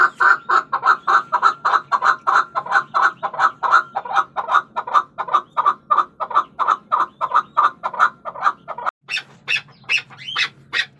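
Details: Chukar partridge (chakor) giving a long run of rapid, evenly spaced clucking notes, about four per second and steady in pitch, for nine seconds, followed by a few higher, sharper, irregular squawks.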